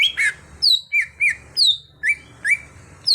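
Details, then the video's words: Greater green leafbird (cucak hijau), an untrained bird being brought into prolific singing: clear whistled notes that curve and slur downward, given in short separate bursts about every half second. The background is quiet. "Pandai Membuat Cucak Hijau Bahan jadi Gacor"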